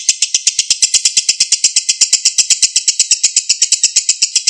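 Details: Lovebird chattering in the drawn-out ngekek style, a master recording meant to coax a silent bird back into song. Dense, buzzy trill of quick harsh notes, about seven a second, sustained without pause.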